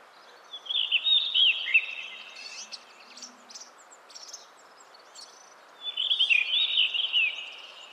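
A blue rock thrush gives two short, fluty warbled phrases several seconds apart, clear and mid-high in pitch, over a steady background hiss.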